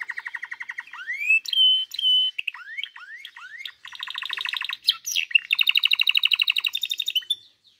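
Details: Canary singing: fast pulsed trills alternating with sharply rising whistled sweeps and steady whistled notes, ending in a long, high, rapid rattling trill; no other sounds.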